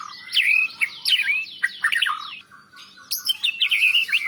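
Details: White-rumped shama, national champion, in a master song with cilalilin, canary and lovebird fill-ins, played to make lazy birds sing. Loud swooping whistles and buzzy chatter, a quiet gap mid-way, then a high warbled phrase.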